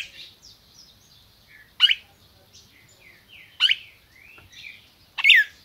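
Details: In captivity in Brazil, a red-crested cardinal gives three loud, abrupt down-slurred notes nearly two seconds apart, with quieter twittering chirps between.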